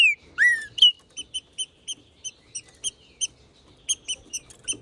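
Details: Trinca-ferro, the green-winged saltator, in hot 'macheando' song: two or three loud, downward-sliding whistles open the phrase, then a quick run of short, bright, ringing notes repeated about two or three times per second.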